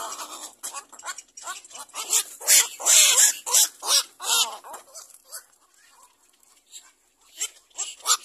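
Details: Around a little black cormorant preparing to feed its baby, a burst of fast, harsh repeated squawks builds to a loud peak, then fades into softer, scattered calls.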